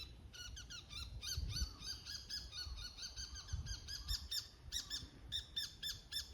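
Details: Bull-headed shrike at Showa no Mori, Chiba City, Japan, calling around 5:30 a.m. in autumn with its high-pitched 'takanaki' territory call. Dense, fast series of sharp squeaky notes, some doubled, run with little pause over soft low background noise.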